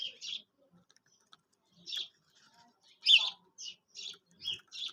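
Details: Quail call sound for hunting: clear, sharp chirped notes in separate bursts, some doubled, spaced by short silences, the loudest burst near the middle, in an otherwise quiet background.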